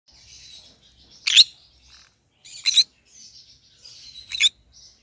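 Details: Green-cheeked conure, a pet bird, giving three short harsh broadband chirps spaced about 1.5 seconds apart, with softer high twittering chatter between them.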